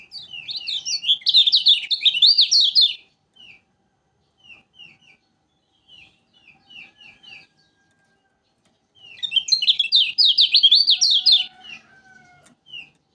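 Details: Lombok lemon-bellied white-eye, said to sing tirelessly, opens with rapid rich twittering. It then eases into spaced single slurred chirps before another energetic chattering burst, over an otherwise quiet background.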